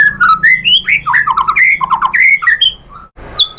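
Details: White-rumped shama song to stir other birds into singing: dense, rapid warbling of slurred whistles and chattering notes, a brief silence near the end, then one high whistle.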